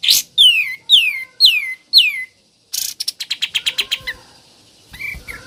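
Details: Sooty-headed bulbul in ngebren song: five loud, downward-sweeping whistles about two per second, then a fast run of clipped chattering notes and a few softer trailing whistles.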